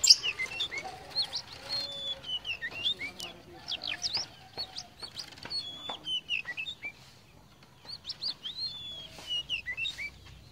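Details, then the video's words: Tame Oriental magpie-robin, locally called kacer poci or murai cacing, singing in full voice: clear varied whistles and short sweeping notes repeated in quick phrases, fairly distant, with faint low background noise. "KACER POCI JINAK GACOR"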